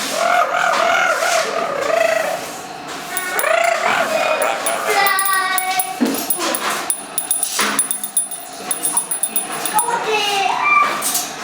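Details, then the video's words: A pet female double yellow-headed amazon parrot, just one year old, talking and dancing at home. Wavering, voice-like phrases rise and fall in varied bursts. A steady thin high tone runs midway, and a person speaks nearby. "Double Yellow Head Amazon Parrot talking"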